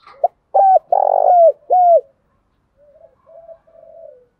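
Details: Decoy spotted dove cooing to provoke a wild rival into fighting: a loud, clipped phrase of four deep hooting coos, the third long and throbbing, followed by softer, quieter coos answering farther off.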